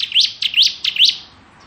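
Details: Bar-winged prinia, kristal variety, in ngebren song used to teach magpie robins: three loud, piercing rising notes, each preceded by a softer lead-in note, delivered at an even pace.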